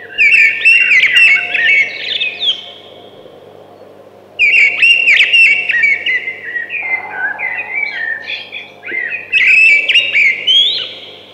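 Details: Three separate phrases of thrush song, each a rich, jumbled run of fluty whistles and trills lasting about two seconds, with quiet gaps and a low hum between.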